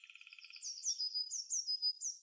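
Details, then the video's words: Forest songbird in spring, singing to court females: a fast dry rattling trill gives way to a series of bright, slurred descending whistles repeated about four times a second. "Waldgezwitscher im Frühling"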